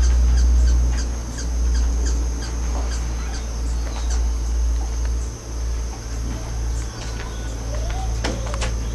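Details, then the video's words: Hummingbirds squabbling at a porch feeder just outside San Isidro, Costa Rica, three birds competing: thin, high, clicking chips repeated in fast irregular series, a brief slurred note near the end, and constant low droning background noise. "Hummingbird WAR"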